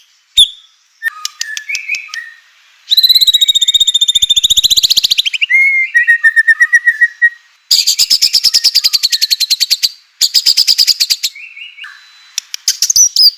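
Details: White-rumped shama singing to provoke rival shamas: a long varied song of clear whistles, fast rattling trills, buzzy high passages and pure descending notes, loud and nearly continuous.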